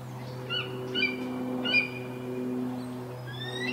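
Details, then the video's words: Juvenile eagle calling for breakfast with a run of short, piercing whistled squeals, some doubled, rising and falling, over a constant low electrical-sounding hum. "Juvenile eagle calling for his breakfast"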